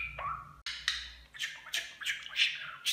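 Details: Domestic budgerigar chattering in mimicry of human speech. A sliding whistled note, a short break, then a series of scratchy, squawky, speech-like syllables with a faint background hum.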